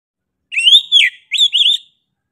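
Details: Oriental magpie-robin (kacer) singing in 'gacor' style: two short clear whistled phrases, each a rising then falling slur with sharp bright notes, separated by a brief pause, against a silent background.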